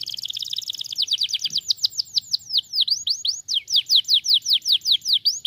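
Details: Canary song meant to stimulate other canaries to sing: a fast, regular roll of high sweeping notes, each dropping in pitch, about two or three per second, with brief changes in phrase.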